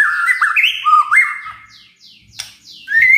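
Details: White-rumped shama song in the kretekan and tembakan manner: rich, clear whistles stepping up and down, a few short falling notes, then a bright rising whistle at the close.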